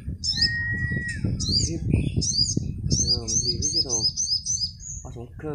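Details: Sunbird singing duel at four in the afternoon, near the birds' bedtime: a steady whistle gives way to strings of high, rapidly repeated slurred chirps and some buzzy lower notes, over a continuous low rumble.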